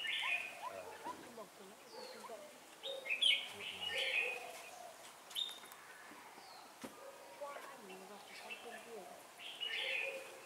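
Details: Decoy red-whiskered bulbul at a sliding trap, 4 December 2016: loud, bright whistled phrases and chirps repeat every few seconds over a low background of softer notes and faint noise, with a sharp click near the middle.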